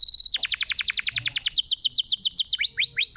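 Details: Canary song played to make canaries that have gone quiet sing again: a brief steady whistle, a long, fast trill of sharply descending notes, then a few rising swoops.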